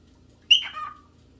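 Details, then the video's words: A single cockatiel, looking for a playmate or partner, gives one sharp, loud call that starts high and slides down into a buzzy, falling tail, with near silence around it. "Cockatail looking for a playmates"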